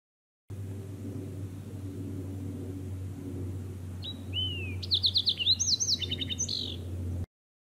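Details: A Fox Sparrow at Echo Lake, California, on 10 July 2018 sings a brief, rich song of clear whistled notes running into quick slurred phrases and a short trill, over a steady low rumble.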